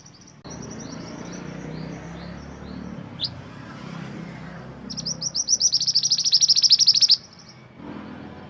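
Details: Mantenan gunung singing, recorded as a master song for training songbirds. A few scattered, faint high notes are followed by a loud, rapid trill of sharp chirps lasting about two seconds, then quiet.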